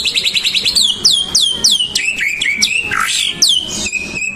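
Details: White-rumped shama singing to provoke other birds into song; a varied sequence of loud clear whistles, several sweeping downward and repeated in a rhythmic series, ending on a level held note.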